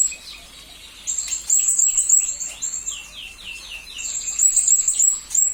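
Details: Parrot song kept as a training master for magpie-robins and green leafbirds: rapid high twittering with quick downward-slurred chips about three per second, soft at first, then louder.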